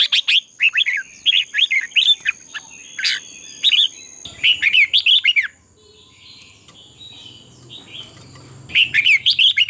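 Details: Red-whiskered bulbul singing in competition style, used to train caged birds to sing at dawn: bursts of quick, bright warbled notes in rapid runs with short pauses, a steady thin high tone running underneath.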